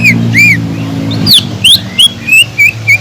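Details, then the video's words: Sumatran leafbird singing as a lure to excite other leafbirds: arched whistles followed by steeply rising slurs and short flat whistled notes at a lively pace, with a low hum underneath. "PANCINGAN CUCAK IJO GACOR INI SANGAT EFEKTIF BUAT CUCAK IJO KURANG EMOSI"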